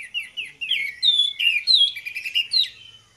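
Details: Orange-headed thrushes singing loudly in ngeplong style, a recording meant to make others sing: a string of crisp whistled notes and upward and downward slurs, bright and varied, ending quietly.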